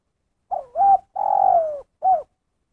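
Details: One complete 'kuk satu' phrase from a spotted dove: a brief hoot, a rising double coo, a long mellow coo easing downward, and a short last hoot, with no other sounds.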